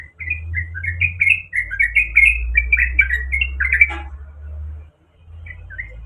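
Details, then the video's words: Sooty-headed bulbul, a female in heat calling the male, gives about four seconds of rapid slurred chattering notes, then a few scattered chirps over a steady low electrical-like hum. "Trucuk manapun dijamin ikut bunyi dengar suara gacor trucuk ini"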